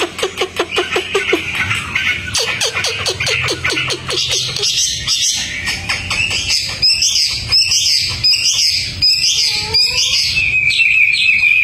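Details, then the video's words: Hwamei, a fully tame bird singing persistently outdoors. It opens with rapid repeated downslurred notes, then moves into bright high warbled phrases and ends with a sustained high whistle. "Wambi Hwamei Gacor jinak total outdoor"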